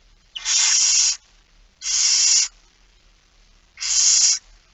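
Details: Barn owl begging call at a morning nest feeding, Friesland, Netherlands, 13 September 2019: three long, harsh, breathy hisses near a second each, evenly spaced.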